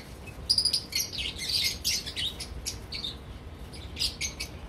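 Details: Captive lovebirds in a breeding colony producing rapid, shrill, overlapping chirps and squeals that come in lively clusters throughout.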